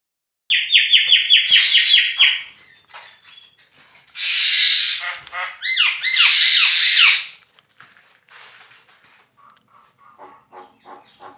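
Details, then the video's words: Black-winged starling singing as a training recording for songbird competitions: a fast rattling run of repeated harsh notes, then loud broadband screeches and grating bursts, fading into softer scattered notes. "JALAK KEBO GACOR COCOK BUAT MASTERAN BURUNG GANTANGAN JADI JUARA"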